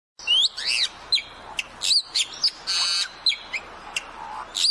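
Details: Bali myna, an endangered bird from the Indonesian island of Bali, giving a varied string of loud, high calls: sharp chirps, looping whistles and harsh buzzy notes in short bursts about every half second.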